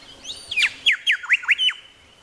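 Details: Grey Shrike-thrush in Tasmania: a quick series of loud, ringing notes sweeping sharply down then up, five or six in just over a second, ending on a level whistle.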